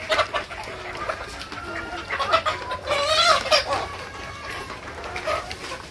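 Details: Local Bangladeshi desi chickens raised on a farm: many overlapping clucks and short rising squawks from a flock, a steady murmur throughout.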